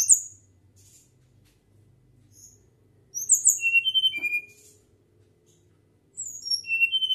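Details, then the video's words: Flycatcher whistling its natural song: a brief high note, a long quiet stretch with faint low hum, then two phrases of clear, very high whistles descending step by step. "Sikatan Gacor Suara Nyuling Alami"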